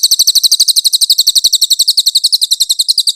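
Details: Clear velvet-fronted nuthatch recording, intended to teach songbirds like the white-rumped shama. Shrill, evenly spaced chip notes pour out in a quick continuous trill throughout.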